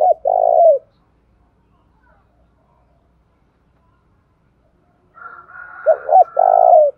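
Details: Spotted dove decoy bird calling in the morning to provoke males: a short coo phrase at the start, then after a long silence a softer murmur leading into a double note and a drawn-out low coo.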